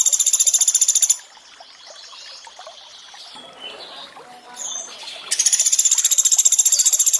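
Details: Sunda pygmy woodpecker in a training recording for birds, mixed with water sounds: a very fast, even, high-pitched trill of repeated sharp notes, about four per second, breaking off midway for a stretch of trickling water, then resuming.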